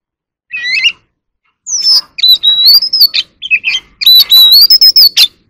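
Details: Competitive song of an Oriental magpie-robin, an ornamental cage bird shown singing and dancing: after a brief opening phrase, a dense string of clear rising whistles, warbles and harsh chips builds to a loud, busy finish.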